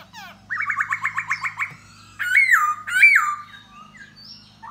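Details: A khướu da bò laughingthrush sings and dances to entice a female. It delivers a rapid stuttering trill of about ten notes, then two loud rich slurred whistles and a softer trailing note, over a low hum.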